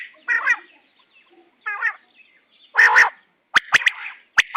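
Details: A female quail gives short, harsh, buzzy calls at irregular intervals, followed by a few sharp, clicking notes near the end.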